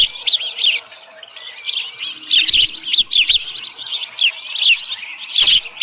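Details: At a Dunrovin Ranch osprey nest holding a small live fish, 13 July 2018 about 7:10 AM: repeated shrill, slurred chirps in dense overlapping series, brief knocking sounds and a faint low hum midway.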